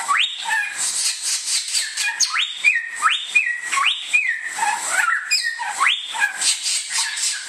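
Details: Bare-throated whistler from Indonesia delivering a string of clear upslurred whistles, each jumping upward then holding a steady note, roughly six phrases in quick succession above constant high chatter and hiss.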